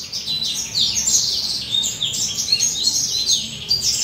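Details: Molting male western citril, aged about two to three, delivers a soft, rapid warble of high chirps and quick descending slurs, a dense unbroken twitter lasting the whole stretch.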